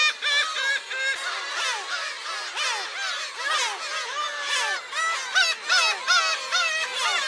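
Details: Black-tailed gulls calling at a shrine on Friday, July 10: pulsing bursts of sharp, rising-then-falling nasal cries, about two or three per second, from several birds overlapping.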